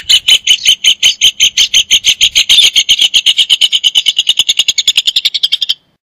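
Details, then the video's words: Rufous hornero, also called casero, albañil, hornerillo or Alonso, pouring out a loud, ringing series of notes that start spaced and steadily speed up into a fast, even trill before stopping abruptly after nearly six seconds. "Hornero Canto - Rufous Hornero Bird Song"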